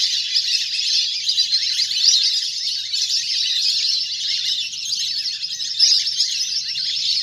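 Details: Natural recording of a large duck flock on water, used as a hunting lure; busy high-pitched twittering and short whistles pour out steadily, dozens of voices mixed together.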